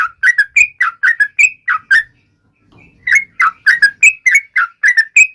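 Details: Yellow-vented bulbul song said to taunt rivals: clear, short whistled notes slurring up and down, about three per second, pausing for a second before another run of similar notes.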